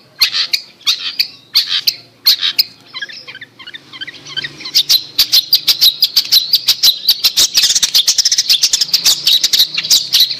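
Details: Long-tailed shrike (cendet) lure song for a bird that has gone quiet: a few sharp high notes, then a softer jumbled warble, building into a fast run of clipped, ticking high chirps that speeds up toward the end.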